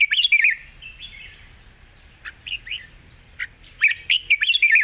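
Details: A Red-whiskered bulbul sings easily in a long trilled song. Rich gurgling whistles open, soft phrases follow, then a lively closing run of quick, bouncing notes.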